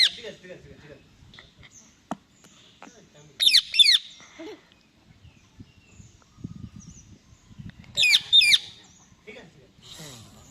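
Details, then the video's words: Talking Indian ringneck parakeet producing two short clusters of shrill, scratchy, high notes several seconds apart, separated by soft, low background rustling and faint murmurs. "Funny Parrot Noises"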